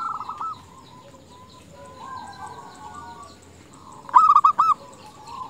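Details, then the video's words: Female zebra dove calling to males: soft distant cooing early, then a loud, crisp burst of four rapid rolling coos just after four seconds, followed by quieter doves. "Perkutut betina gacor memanggil jantan paling berhasil memancing perkutut jantan bunyi"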